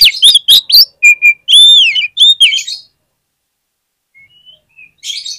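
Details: Lure song of an oriental magpie-robin, used to make other magpie-robins sing: quick sharp high notes, then a long rich whistle with rising and falling slurs, a gap, faint thin notes, and a closing scratchy burst.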